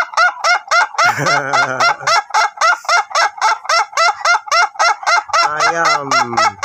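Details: Ayam Ketawa, a long-crowing duration-type laughing chicken under training: quick steady train of chuckling syllables, close to four each second, with two brief stretches where a deeper, falling, layered call overlaps.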